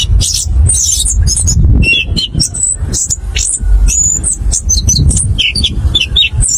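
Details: Orange-headed thrush lure song meant to get birds singing fast, in a rolling open style; quick chains of piercing high whistles and short slurred notes, with a low booming background throughout.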